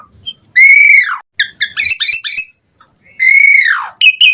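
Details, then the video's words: Lure recording of an Asian pied starling singing eagerly: two long whistles that bend and fall away, framing a burst of quick jumbled chattering notes. "Suara Jalak Suren Gacor Mompa Buat Pancingan Burung Jalak Auto NYAUT Cepat Gacor Full Isian"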